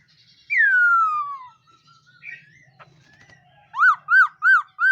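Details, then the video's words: A laughingthrush in morning song practice gives one long descending whistle, a few quiet notes, then four evenly spaced arched whistles repeated quickly. "Khướu mun hót luyện giọng . Khướu hót sáng luyện giọng kích bổi"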